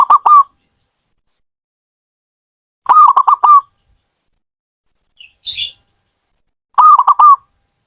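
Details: Zebra dove (perkutut) kept by a hobbyist, giving three clipped cooing phrases of rapid stuttering notes with a longer closing coo, a short hiss sounding in one of the gaps.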